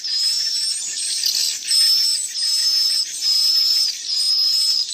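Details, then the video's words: Young swiftlets call as a high, shimmering wash of chirps overlaid by thin whistled phrases about a second long, repeated roughly once a second, with a few faint lower tones beneath. "KARAKTER SUARA ASLI ANAK BURUNG WALET"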